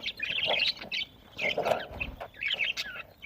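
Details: Several pet budgies chirping while eating, recorded in Larkana, Sindh, on 1 November 2023: bursts of high twittering chirps and warbles in short clusters, with soft lower chattering notes and brief gaps between bursts.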